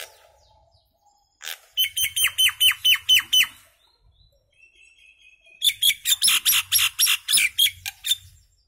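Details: Indian maina, the common myna, gives two bouts of quick grating notes, several per second, separated by a quiet gap holding a thin faint whistle.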